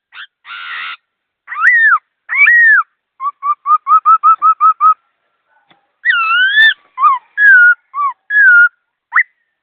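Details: Laughingthrush in quick, clear song: harsh rasping notes, swooping whistles, a rapid even series of about ten short identical notes, then wavering and falling whistled phrases; quiet surroundings.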